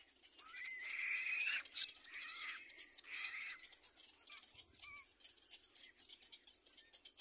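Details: A Little black cormorant chick begs while being fed by its mother, giving harsh, rasping, wheezy cries in bursts for about three seconds, then fading to scattered soft clicks and rustles.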